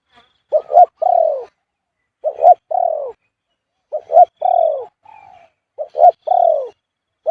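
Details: Spotted Dove, the marked bird at point 38, repeating its khu-ang coo almost constantly. Four phrases each pair two quick, rising notes with a long, descending, drawn coo. A quieter flat coo sounds between the phrases.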